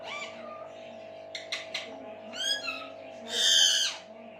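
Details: Pet talking parrot from West Bengal giving a run of harsh, voice-like calls with rich harmonics, short syllables then a longer loud raspy phrase near the end, over a steady low hum.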